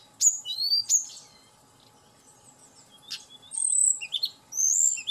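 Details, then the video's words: A Hill blue flycatcher song, used as a lure to quickly agitate the bird and get it singing: bright, high whistled phrases with quick sweeping slurs, delivered in short bursts separated by pauses, over a faint steady hum. "Pancingan Tledekan Gunung Agar Cepat Emosi Dan Cepat Bunyi"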